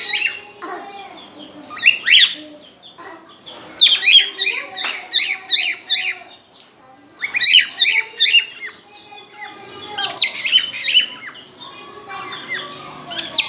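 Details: Mating whistles of a cockatiel ready to breed come in several bursts of fast, piercing chirps separated by quieter gaps. Softer lower notes are scattered between the bursts.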